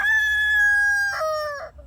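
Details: A rooster crows in a garden in the evening, around 4–5 pm: a long, steady, nasal note held about a second, then two short steps down in pitch, fading at the end.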